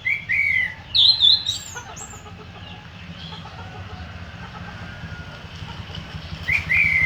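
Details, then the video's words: Orange-headed thrush song: loud, clear whistled phrases at the start, including a high sliding note, then a long quieter stretch of faint twittering, before strong whistles return near the end. "Kicauan anis merah"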